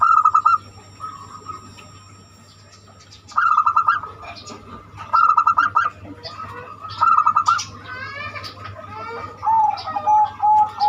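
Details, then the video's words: Zebra dove singing banyumili style, a song used to lure other birds into singing; several bursts of rapid stuttering coos, with other birds calling and chirping near the end. "Perkutut banyumili suara unik cocok untuk pancingan"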